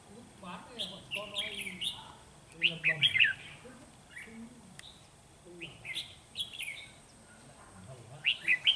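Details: Red-whiskered bulbul, a decoy bird singing fighting song against rivals during a trapping session on 13 November 2018, in Vietnam: short warbled, slurred whistled phrases in bursts, with low human speech underneath.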